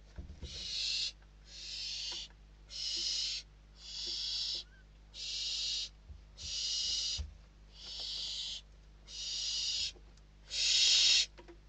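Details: Inside a barn owl nest in Spain in December, hungry chicks fight over a delivered bird. Steady, harsh hissing snores repeat about every 1.3 seconds, nine bursts, and the last one is loudest.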